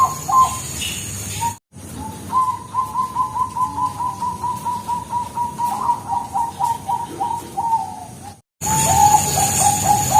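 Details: Lure recording of a Bangkok zebra dove: a long, evenly paced chain of rapid, bubbling coo notes, broken by two abrupt edits, with another short coo series after the last cut.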